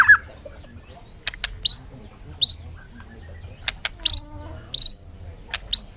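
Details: Bird giving short, high, upward-sweeping chirps spaced irregularly across a few seconds, with sharp clicks between them and a faint low hum underneath.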